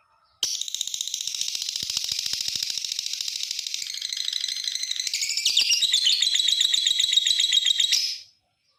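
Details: Lovebird long chatter, ngekek panjang, played to provoke other lovebirds into calling. About eight seconds of unbroken, shrill, rapidly pulsing chatter that grows louder and rougher toward the end before stopping abruptly.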